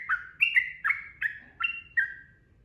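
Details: Sooty-headed bulbul giving a series of six separate, clear whistled notes, each with a short fall in pitch, spaced about a third of a second apart over quiet low background noise.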